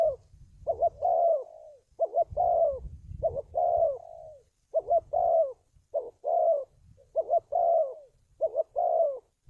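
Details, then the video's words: Spotted dove call, recorded for training decoys and luring wild birds into traps: about seven phrases, each a quick wavering double note then a longer falling coo, about one phrase every second and a half, over a faint low rumble. "tiếng chim cu gáy luyện mồi kích bổi"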